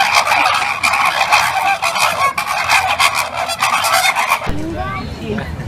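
A flock of flamingos honks in a dense, goose-like chorus of overlapping nasal calls, then a person's voice takes over near the end.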